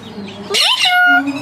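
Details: Common hill myna talking to people, imitating a spoken word as a short burst of clear harmonic tones that rise steeply and then level off; a person's voice is heard softly just before.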